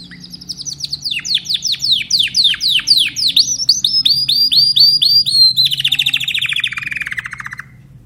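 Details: Timbrado canary song: a series of loud, descending whistled swoops repeated about three times a second, speeding into quicker clipped notes, then a lower, dense rolling trill that fades out.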